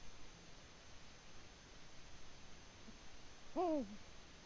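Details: Eurasian eagle-owl on the nest in Latvia, February 2020: after several seconds of low rumbling background, a single brief, rich hoot bends up and quickly down.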